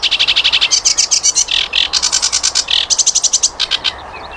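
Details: Flycatcher song for tutoring cage birds: dense bursts of fast, high, rattling trills and chattering notes with brief louder chips between them, fading to quiet at the end.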